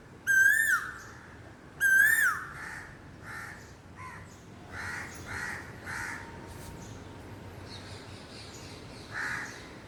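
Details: Two strong rising-then-falling koel whistles open the recording, followed by a run of shorter, harsher crow-like calls and faint distant notes.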